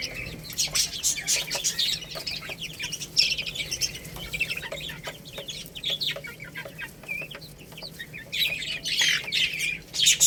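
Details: Little chicks eating rice, their high thin cheeping overlapping steadily while sharp pecking clicks tap out all through. Bursts of chirps come thicker near the start and end.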